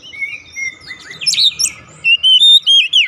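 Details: Oriental magpie-robin song used to bring a silent bird into singing: varied clear whistles with rising and falling slurs, then a loud burst of repeated bright whistled notes near the end.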